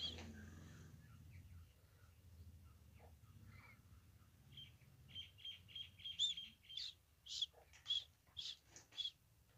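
A quail gives a run of short, high, sharp chirping notes, about two a second, growing louder toward the end over a low background rumble.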